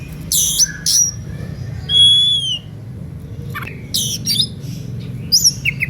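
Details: Oriental magpie-robin in varied song said to goad rival birds into singing back: harsh rasping bursts, a clear bent whistle at about two seconds, a downward slur, then more scratchy notes and a thin high whistle near the end.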